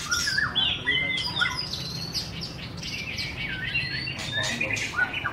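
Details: White-rumped shama singing a quick series of clear whistled notes and downslurs, roughly four notes a second at the start, then scattered chips and sweeping phrases. A low hum continues throughout.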